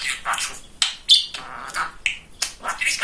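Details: Pet male budgerigar known as a great chatterer giving a few clipped speech-like syllables, clicks and a short whistled note, with gaps between sounds.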